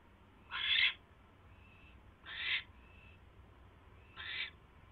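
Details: Owl pair at 8:34 PM on 24 January 2016, the male arriving with a third mouse for his mate; three broad hissing screeches spaced over a second apart, with faint whistly tones between.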